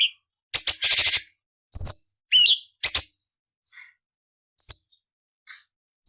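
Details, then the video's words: Cucak cungkok master song with harsh 'nyerecet' variations for other songbirds. A long scratchy rattle opens, followed by spaced single sharp whistles and a few quieter high notes. "Masteran Burung Cucak Cungkok Istimewa - Isian Variasi Beset Nyerecet Kasar untuk Murai C.Ijo Kacer"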